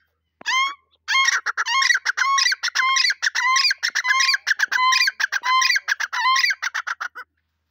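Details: A pair of grey francolins calling together: loud, harsh, ringing notes repeated rapidly in a steady, rhythmic run for several seconds, with no other sounds; Grey francolin.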